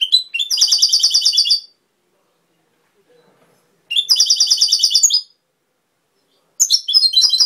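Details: Three rapid, jingling phrases of European goldfinch song, each about a second and a half of fast repeated high notes, with quiet gaps between them.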